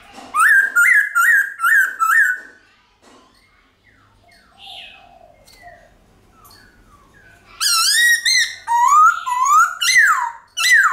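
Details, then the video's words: Forest-style song of a White-cheeked laughingthrush, used to encourage caged birds to sing: a run of short, loud, ringing whistles, then a quieter murmuring pause, then another burst of rapid, bright, downward-sweeping whistled phrases. "Khướu Bạc Má Hót Giọng Chuẩn Rừng Ngân Dài Cực Hay"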